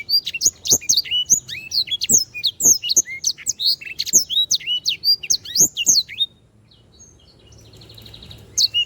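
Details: Canary in continuous song for training other birds: a long, dense stream of shrill, sweeping whistled notes, then a brief quiet spell with faint buzzing before the song resumes.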